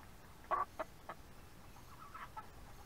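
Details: Backyard hens about four months old, kept in a chicken run, eating an early morning rice treat; several short clucks in quick bursts near the start, then softer, scattered clucking over low background hum.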